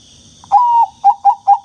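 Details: Bangkok-type zebra dove, sound used to wake up quiet doves: a soft pickup note, a long level coo, then three short rhythmic coos evenly spaced, with a faint constant high tone.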